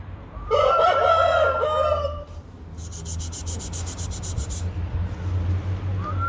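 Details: An Aseel rooster crows loudly for nearly two seconds in a harsh, rich, wavering call that drops at the end. It is followed by a rapid, buzzy high-pitched pulsing and steady low background rumble.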